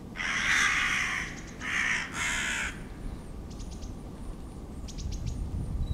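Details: Hooded crows attacking a Ural owl in the Main Botanical Garden, Moscow, on 28 February 2011 (winter): three harsh, rasping caws in quick succession, then quiet, with faint high chips and low background rumble.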